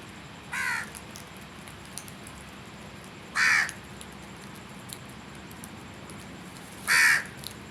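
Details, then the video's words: Three loud, rasping crow caws spaced roughly three seconds apart, each brief and harsh, against a quiet hum with faint ticks. "Crows Sounds"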